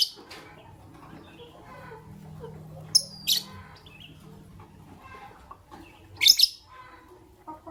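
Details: Morning chirping from Fischer's lovebirds, one white albino and one pastel green: soft twittering and clicks broken by two loud, shrill screeches about three seconds apart, with a steady low hum beneath.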